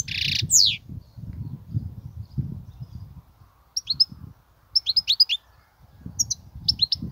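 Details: European goldfinch in Kubiya song style giving scattered short phrases: a quick slurred note first, then several groups of two or three sharp, falling high chirps after a quiet stretch, with soft low rumbling.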